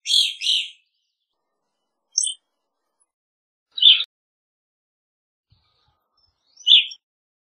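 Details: A quick double chirp from an evening grosbeak, followed by three more single high notes spaced unevenly over about seven seconds, with quiet gaps in between.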